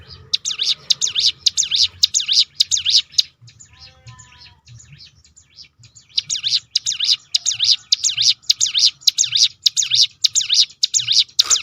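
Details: Prinia called ciblek gunung delivering a 'tembakan' roll as a lure for other songbirds: two long runs of fast, high swooping notes separated by a short pause with faint soft twitters.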